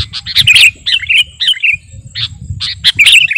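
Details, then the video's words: Kutilang garuda, a sooty-headed bulbul, singing as master song for luring; short bubbly phrases of chirps and slurred whistles, repeated with brief gaps, over a low steady background rumble. "Burung KUTILANG GARUDA Gacor..!! cocok buat pikat masteran"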